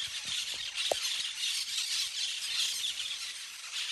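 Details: Parakeets in a playful flock among the branches fill the air with dense, high, grating chatter, broken by one short sharp note near the start.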